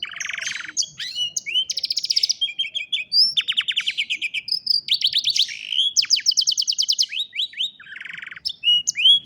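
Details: Canary in full song, phone-recorded as training audio for a lazy canary; loud, continuous, with fast rolling trills, buzzy rattles and repeated sweeping whistles switching pattern every second, clean background.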